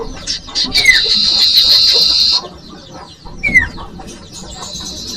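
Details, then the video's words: Common iora song used to lure young birds: a long, loud buzzy trill lasting over two seconds, with single falling whistled notes before and after it. "Audio Suara Burung Cipoh/Sirtu/Sirdung cocok buat pancingan bakalan"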